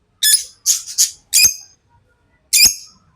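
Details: Tamed lovebirds giving shrill, piercing chirps, five notes within three seconds, each note bright and slightly buzzy, with one short pause before the last.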